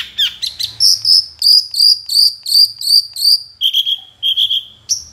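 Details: Long-tailed shrike lure song: clear, high, whistled notes repeated steadily about three times a second, then a short run of slightly lower, buzzier notes and one final high whistle.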